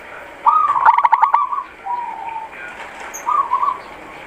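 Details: Zebra dove of a local type cooing: a quick burst of pulsed notes runs into a level trilled coo. A softer, lower note follows, then a short wavering coo near the end.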